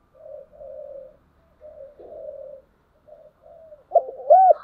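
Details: Spotted dove calling in the morning: soft, distant-sounding low murmured coos, then a louder pair of arched hoots at the end.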